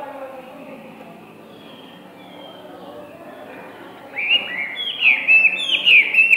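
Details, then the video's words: Hwamei, a tame first-season bird, its song likened to rapid gunfire: after four seconds of quiet background, loud clear whistled phrases burst in, swooping down then levelling, repeated in quick succession until the end. "Họa mi hót như aka bắn"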